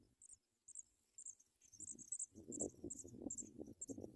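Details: Chicks of the paddyfield pipit calling as they are fed at the nest: sparse high, thin notes at first, then quicker bursts of squeaks as low scraping and rustling grows.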